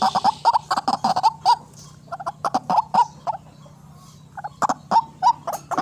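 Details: White-breasted waterhen call used to lure birds for trapping: clipped, hollow knocking notes in quick bursts of four to six, separated by short pauses, over a faint low hum.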